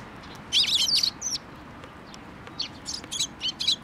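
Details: Sparrows coming to a post at a Tenmangu shrine to be fed, 26 May 2024: a quick cluster of bright, squeaky chirps, then scattered single and paired chirps over a steady low background hum.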